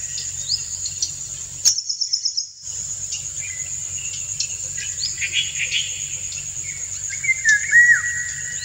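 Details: A male Indian golden oriole sings to stimulate a female for courtship; sweeping whistled phrases, louder near the end, against a continuous shrill insect background with a short gap early on.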